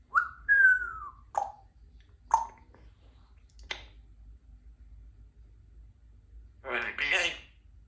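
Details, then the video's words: Three-year-old female Congo African grey parrot, a talkative pet kept indoors in a country home: a clear falling whistle, a few sharp clicks and pops, then a brief, speech-like mumbled phrase near the end in a quiet room. "Talking African Grey Parrot"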